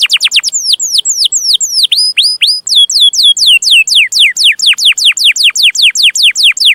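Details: Canary song for training juvenile canaries. Quick descending notes, then hooked, upturned whistles, followed by a long, steady series of sharply falling chirps at a lively pace.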